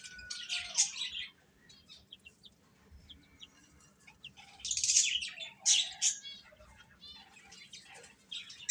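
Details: Chicks peep in scattered bursts. Short clusters of high chirps are separated by quieter moments with only faint calls.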